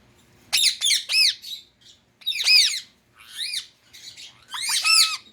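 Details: Harsh, rasping screeches from a pet Indian ring-necked parrot, delivered in quick clustered bursts with brief gaps between them.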